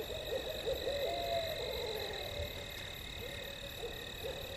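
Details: An owl in an open meadow in Leelanau County, Michigan, late at night gives soft, low hoots that rise and fall, several in quick succession, over a steady high drone of night insects.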